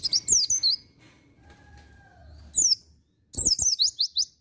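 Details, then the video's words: White-eye of the pleci dakun type in ngriwik song: short bursts of high, swooping chirps with gaps between them, while a faint steady whistle-like tone sounds in the background. "NGRIWIK PROSPEKAN BAGUS PLECI DAKUN"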